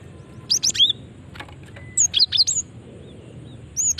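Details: Female cinereous tit calling, a sound used to lure and draw responses from other cinereous tits; three short bursts of thin, high, sharply sweeping chirps spaced over a few seconds against quiet background hiss.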